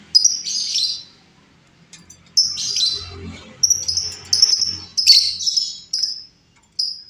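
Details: Calls of a wild female lovebird meant as a lure: high shrill chirps, some harsh and buzzy, in clusters with brief pauses, about a dozen notes over several seconds.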